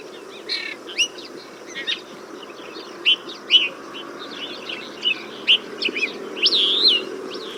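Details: Desert Finch calling with crisp, high chirps repeated roughly every second, some notes doubled or slurred, ending in a longer warbled phrase, against a soft constant rumble.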